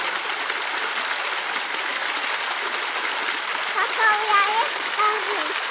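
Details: Steady rushing water fills the scene, with a few faint human voices rising briefly near the end; no animal is heard.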